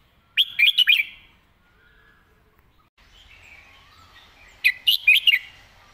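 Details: Clear 'mae bot' master song from a caged red-whiskered bulbul: two crisp phrases of five quick, bright whistled notes, separated by about four seconds of near silence and faint distant chirping.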